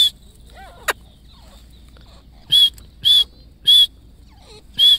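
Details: Grey francolin family: loud, shrill, high-pitched notes in short bursts, four within about three seconds after an earlier single note and a quick sharp click, over a quiet background with faint softer chirps.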